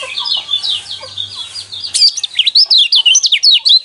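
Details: Yellow white-eye song used to goad caged birds into singing: a soft high warble with a low hum, then from midway loud, rapid, sharply pulsed twitters repeated several times a second.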